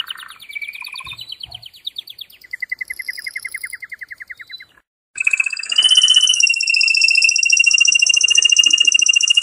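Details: Male canary in vigorous song to encourage mating, rattling trills at shifting pitches, a brief pause, then a dense, loud, shimmering trill with high whistled overtones.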